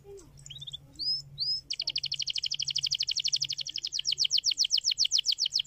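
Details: Canary song used to stimulate other canaries to sing: a few separate upslurred whistles, then a long, fast, even trill of bright repeated notes that grows louder, over a faint low hum.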